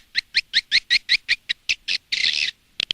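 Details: Indonesian lure sound for edible-nest swiftlets, played outside a nest house: a steady run of about ten rising high chirps, then a half-second buzzy burst, ending in quick sharp clicks.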